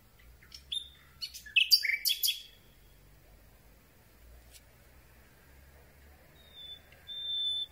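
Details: Night-time Common Nightingale song captured at close range with a handheld telescopic boom. A brief tumbling phrase of clicks and chirps comes first. Later, faint thin whistles follow over low rumbling background noise.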